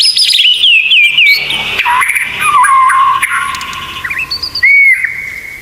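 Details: White-rumped shama tutor material with 'tembakan' fillers: loud wavering whistles sliding downward, a long low warbled phrase, then a clear held whistle after a short pause.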